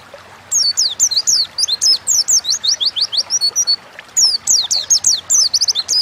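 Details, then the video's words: Lure recording of an Oriental white-eye in energetic 'ngalas' song, two bursts of rapid high twittering slurred notes separated by a short pause, each phrase a quick string of descending whistles. "Burung pleci gacor ngalas pancingan bahan agar cepat bunyi"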